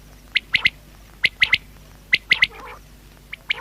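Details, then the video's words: Common quail (batair) calling in sharp three-note phrases, each note bright and clipped, the triplets repeated roughly every second, with one brief harsher, buzzy sound between phrases. "Batair sound | Quail voice"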